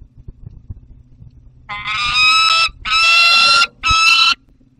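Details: Juvenile peregrine falcon with prey beside another falcon, Barycz Valley, 30 August 2022: low background rumble, then three loud rasping wails, the first longest and the others shorter.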